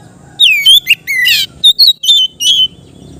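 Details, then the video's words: Kept Oriental magpie-robin singing in the relaxed ngeplong style meant for training novice birds. It gives loud falling whistles, a harsh buzz, then several crisp, high whistled notes in quick succession over a faint murmuring background. "suara Kacer ngeplong santai cocok untuk terapi kacer bahan"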